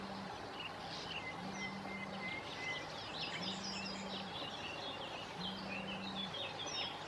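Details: Busy sand martin breeding colony on the Bečva river, Czech Republic, early June 2018: scratchy chattering calls from many birds, one thin whistle, steady water rush and a low hum switching on and off.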